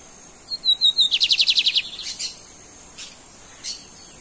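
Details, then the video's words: Lined seedeater, a bird kept by a Brazilian breeder, nearly completing the torneado song style: high thin whistled notes, then a rapid run of about a dozen sharp buzzy notes, followed by a few scattered chirps over steady high hiss. "BIGODINHO AL CAPONE QUASE FAZ A ENTREGA DO TORNEADO!"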